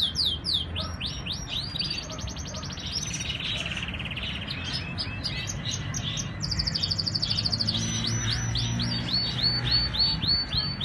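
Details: Canaries from a collection in Islamabad, Pakistan, singing in fast rolling trills and repeated high whistled phrases, with buzzy notes and shifts between tours, several birds overlapping.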